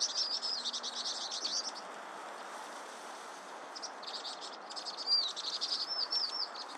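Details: Vinous-throated parrotbill (baepsae) giving bursts of high, thin chattering chirps with a few clearer slurred whistled notes, a quieter gap mid-way, then renewed twittering against constant low hiss.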